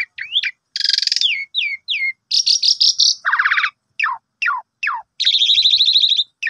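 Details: Morning song of an Asian pied starling for rousing a sulking bird: varied whistled slurs, grating buzzy phrases and quick falling notes in a lively string.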